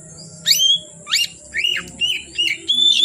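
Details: Oriental magpie-robin song in the evening: six loud whistled phrases, sweeping up and down in quick succession and ending on a sustained bright note.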